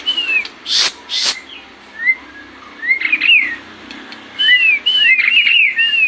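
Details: White-rumped shama song for training captive birds: harsh bursts, then clear arching whistles that grow into a fast run of overlapping up-and-down whistled notes near the end.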